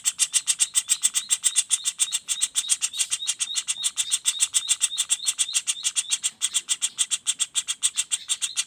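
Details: Juvenile common flameback calling non-stop, kept as a training model for other songbirds: a fast, steady rattle of sharp high chip notes, roughly three to four per second, evenly spaced throughout.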